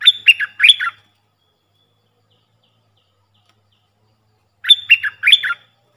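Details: Training decoy sound of a Puff-throated bulbul for young birds: a quick run of three or four sharp descending chatter notes, then quiet for several seconds before a matching phrase returns.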